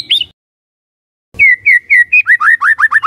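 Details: White-rumped shama song used as a lure to provoke other shamas: one short whistle, a second of silence, then a clear series of slurred whistled notes that quicken and drop slightly, about ten notes in a row.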